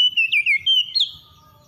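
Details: Oriental magpie-robin in the morning, song aimed at calming stressed birds: a short run of five whistled notes, a steady tone, then dipping warbles and a final upward note, fading into silence.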